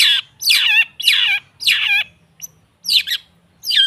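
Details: Long-tailed shrike (cendet) training lure for a bird that has stopped singing: loud, harsh, rasping phrases with downward-sweeping tones, each about half a second long, separated by short pauses and a few thin clicks.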